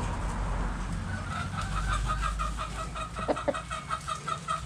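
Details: Backyard hens clucking while dust bathing in the dirt: a steady run of short repeated clucks over low rumbling background noise, with a few sharper notes near the end.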